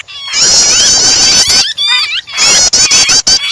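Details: Prinia starter call mixed with the cries of a distressed, trapped bird, used to prompt other birds to sing: loud, dense high chattering of harmonic, wavering notes with sharp clicks, broken by a brief pause near the middle.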